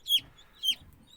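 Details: Newly hatched chicks that hatched on their own without a mother hen give two loud, high, down-slurred peeps about half a second apart, then a fainter third, over a quiet low background hum.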